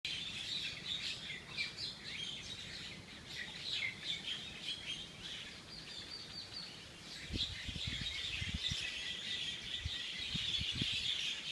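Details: Birds calling outdoors: a dense stream of short, high chirps and twitters, many overlapping, with steady background noise throughout and low thumping knocks from about seven seconds onward.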